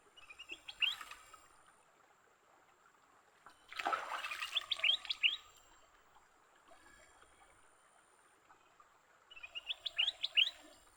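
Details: Leafbirds fighting after being caught: three bursts of sharp, rising chirped notes come at roughly four-second gaps, the middle burst mixed with a splashing rush of noise.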